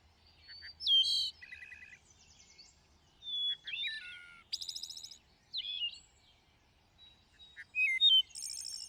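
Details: Thrush in lush greenery delivering a varied song: separate phrases of fluty whistles, quick trills and high buzzy bursts, each phrase followed by a short pause, with a faint low hum early on.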